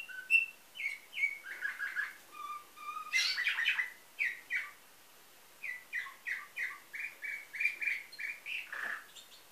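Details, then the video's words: Canary singing a nightingale-style song, bred in Varna, Bulgaria, 2013: whistled notes, low piping pairs, a loud dense flourish, a pause, then a quick series of evenly repeated chirps ending in a falling slur. "Bülbül ötümlü kanarya , canary - Nightingale"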